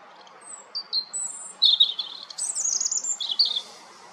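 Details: European robin song: high, pure whistled notes that slide up and down, followed by a quick, tinkling warble and a few closing twitters.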